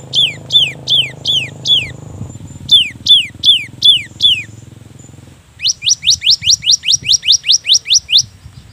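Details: Cinereous tit song used as a lure to make lazy birds start singing: sharp, high, downslurred notes in runs of five and four, then a fast train of about twelve rising notes, with a low hum underneath early on.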